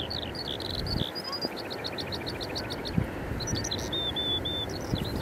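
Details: Eyemouth skylark in song on 30 May 2024, Canon EOS 90D recording: a run of evenly repeated high chirps, then thin sustained whistles and rapid notes, against low wind-like rumble.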